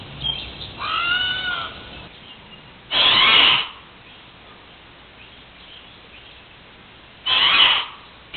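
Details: Hawaiian crow, a species extinct in the wild: a soft tonal wavering call, then two loud, brief, rasping caws spaced about four seconds apart, with quiet gaps between.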